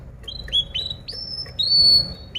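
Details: Canary singing as a tutor for other birds: a short sequence of high whistled notes, each rising then held, growing longer until a final sustained clear whistle, over faint low background hum.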